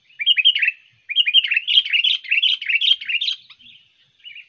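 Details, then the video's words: Trained sooty-headed bulbul used as a lure for wild birds, delivering two lively bursts of rapid bubbling, chirpy phrases with bright warbled notes, separated by a short pause and ending in quieter twitters. "pikat burung kutilang Bagus gacor ampuh tahan seharian"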